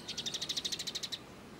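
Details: Kolibri ninja sunbird, 'full gereja tarung' song used for training other birds: a single fast high trill of roughly fifteen pulsing notes lasting just over a second, then silence.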